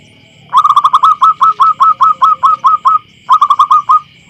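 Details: Wild local zebra dove recorded in a field, its voice small, clear and loud: a rapid run of about eleven short mid-pitched coos, a brief pause, then five more, over a steady high whine.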